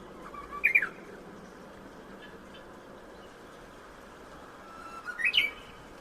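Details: Japanese bush warbler in spring, captured on a smartphone through a home window: a short, high whistled flourish early on, then after a long quiet gap a rising whistle ending in an abrupt sharp note, with steady low background noise.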